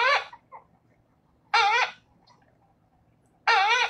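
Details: American Coot, a marsh bird often heard as hundreds calling at once in the distance, gives three loud, nasal, harmonic-rich calls about two seconds apart. The middle call wavers with a questioning lilt, and the background is otherwise quiet.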